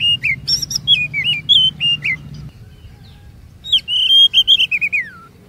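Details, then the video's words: Lure song of an Oriental magpie-robin, meant to prompt other birds to sing long, varied phrases: a run of clear whistled notes and rising-falling slurs, then a pause of about a second before another whistled phrase ending in a long downslur. "EFEKTIF MEMANCING KACER NGEROL DAN BONGKAR ISIAN"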